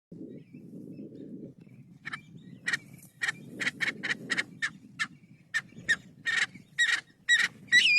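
Kalij pheasant giving sharp, loud chirping notes in an irregular string, about two per second, over a low rumble of background noise.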